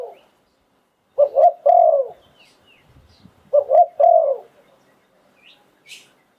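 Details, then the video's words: Decoy Spotted dove in Thailand singing 'sai phon liu tan' style: two clean phrases of low coos about 2.4 seconds apart, two quick notes then a long downward coo, with faint high chirps near the end. "เสียงนกต่อดิน 2022 สายโผน หลิ่วตัน"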